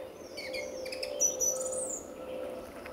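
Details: Song thrush at RSPB Fowlmere, early February morning just before sunrise, reserve full of singing thrushes holding territories; brief, fairly faint high chirps and a thin rising whistle over steady background hum.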